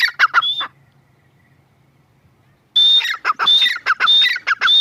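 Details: Grey francolin calling: a few harsh notes with a whistle, a two-second gap with a faint low hum, then loud repeated raspy phrases with shrill whistles.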